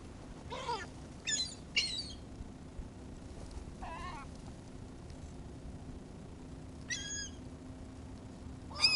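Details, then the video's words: Seagulls being fed, giving loud, rich, wavering squealing cries in bursts, some close and strident, with quieter calls between and a low hum beneath. "Feeding the seagulls"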